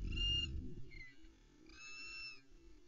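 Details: Nest-camera recording of a female osprey at Loch Arkaig on 11 May 2020, calling for her mate to bring fish: a sharp whistled note, a brief chirp, then a longer fainter whistle over low rumble.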